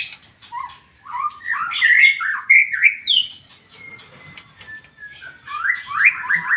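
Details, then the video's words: Ngeplong-style song of a white-rumped shama: rich, rapidly changing whistles and chopped notes, with a short quiet spell of thin high tones midway before a rising burst of loud phrases. "MURAI BATU NGEPLONG-NGEPLONG"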